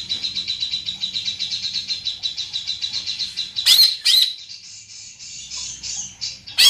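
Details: Greater green leafbird with a big body and a loud, penetrating voice, producing a fast regular rattle of high pulsed notes for about three seconds, then sharp explosive calls and softer buzzy twittering.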